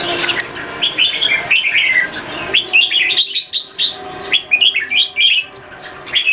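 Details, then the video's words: Caged red-whiskered bulbuls in Singapore, several birds pitted against each other in song, one in molt; crisp, bouncy whistled phrases with rising and falling notes, delivered in rapid bursts separated by short pauses. "นกหัวจุก JAMBUL"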